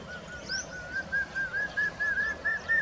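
A common hawk-cuckoo gives a quick run of clear, mid-pitched whistled notes, about three per second, edging slightly higher, with faint higher bird notes behind.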